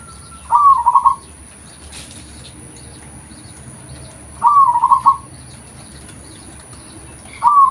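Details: Local zebra dove recorded as a lure call: three rolling, pulsed coo phrases, each about half a second long and steady in pitch, spaced roughly every three and a half seconds, with a faint high steady hiss throughout.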